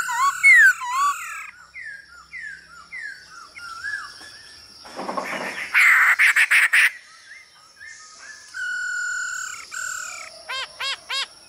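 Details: Singing male hwamei answering female calls, for song training: a series of short slurred whistles, a loud harsh noisy burst in the middle, a long steady whistle, then brief high repeated notes.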